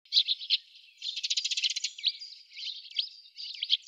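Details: Several Eurasian tree sparrows at an artificial treecreeper nest box in Budapest on 28 October 2010 give bright, high chirps, with a quick dry rattling burst in the middle and more overlapping chirps after it.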